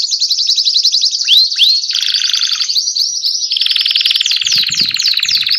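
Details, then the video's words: Belgian canary with copper plumage singing with vigour: an unbroken, loud, high song of rapid trills, rising whistled slides and long steady trilled tones, with faint low clicks near the end. "Canário belga cobre cantando com disposição/copper canary singing with disposition."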